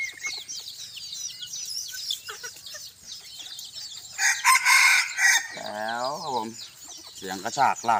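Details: Bantam chicken on a hot day in the evening. A harsh, broad crowing burst is followed by a sweeping, arched, harmonic tone, with dense high chirping and buzzing from other creatures throughout.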